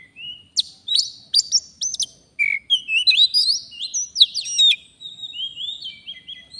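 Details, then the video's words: Forest Oriental magpie-robin heard while wild birds are being lured. Loud, varied song of clear whistles, upslurred notes and crisp clicks, ending in softer, lower warbled phrases. "Kacer, begini jadinya kalau tidak di ajak duel fighter || full gacor"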